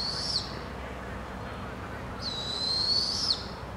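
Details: A family of Barred Owls in British Columbia, Canada: two drawn-out, rasping, high-pitched hisses, the second longer and ending in a sharp downward flick.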